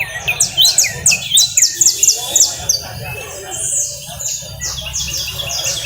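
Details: Canary singing in the coastal style: fast series of high, descending whistled sweeps repeated several times a second, then a softer, looser stretch of notes; steady low background rumble.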